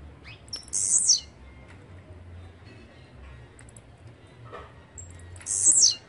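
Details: Blue-black grassquit, known locally as chirrio, pirra, tiziu or volantina, giving two short buzzy high-pitched song bursts about five seconds apart, each a quick descending trill, with quiet background between.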